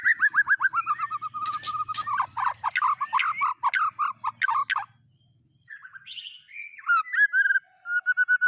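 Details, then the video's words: White-rumped shama singing copied phrases of other birds: a run of rapid downward-slurred chirps, a short pause, then scattered whistles and a steady whistled note, with a faint low hum. "Burung Murai Batu MU KURANG GACOR., BONGkar Isian speed cililin, kenari, love bird Dll..!"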